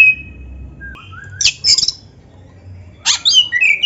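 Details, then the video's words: Short phrases from a black-breasted Oriental magpie-robin: a thin steady whistle, a brief rising note, then two quick bursts of high scratchy chatter separated by a pause over a soft hum. "MASTERAN KACER FULL MATERI MEWAH"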